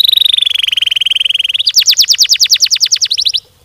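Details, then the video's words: Canary in full, long rolling song: a steady buzzy trill near the high register for about a second and a half, then a fast run of rapid descending whistled notes, roughly a dozen, ending abruptly. "Burung kenari gacor ngerol ngedur panjang, Suara Kenari gacor speed rapat untuk pancingan kenari"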